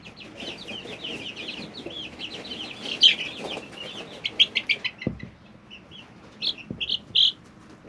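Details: Brooder chicks three weeks old: a busy run of high, falling peeps, then louder separate chirps spaced apart, with a single dull knock midway.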